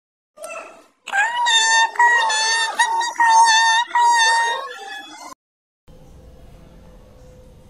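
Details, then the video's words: Talking parrot indoors giving a run of voice-like, strongly harmonic phrases for about four seconds, with rising and falling tones and short breaks between syllables, followed by a brief gap and faint steady background hum. "बोलता हुआ तोता"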